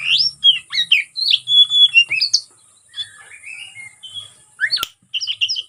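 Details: Fighting song of an oriental magpie-robin (kacer), meant to provoke rival birds: rapid loud whistled and slurred phrases, then a quieter warbling stretch, a sharp click, and a few more bright notes.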